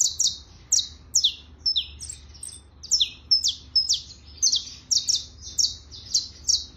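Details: Trilling song of a saffron finch (canario criollo): a busy run of sharp descending chirps and short thin whistles, notes tumbling nearly twice a second over faint low background hum.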